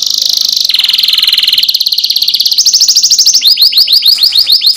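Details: Canary song meant to encourage other canaries to sing: rapid rolling trills stepping down and then up in pitch, finishing with a fast run of repeated swooping notes.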